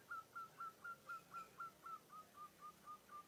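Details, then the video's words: A munia imitating the cooing of a zebra dove: a series of about thirteen clear whistled notes, each a short rising-then-level slur, repeated four times a second, steady and evenly spaced, slightly fading toward the end. "burung pipit/emprit bisa meniru suara perkutut"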